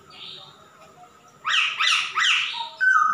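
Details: Male masked laughingthrush in full voice: after a faint high thin note, three loud, harsh, chattering bursts come in quick succession, each sweeping down across a broad band, then a short clear whistled note ends the phrase.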